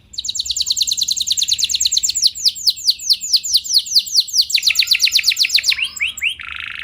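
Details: Canary delivering a long roll to provoke rival canaries into singing: sustained fast trill of high repeated notes, speeding into sweeping downslurred notes, ending in a short buzzy burst.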